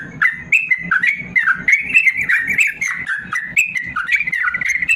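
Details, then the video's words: Caged yellow-vented bulbul giving a long, rapid 'ropel panjang' song meant to teach reluctant birds to sing: continuous bubbling warbles rising and falling in quick succession over a rhythmic low pulsing background. "BURUNG TRUCUKAN ROPEL PANJANG||AMPUH UNTUK MASTERAN TRUCUKAN MALAS BUNYI"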